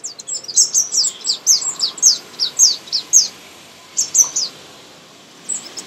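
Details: Sunbird singing in a garden in India: high, sweet downslurred notes repeated about twice a second in a steady series, then a pause and a short cluster of similar notes.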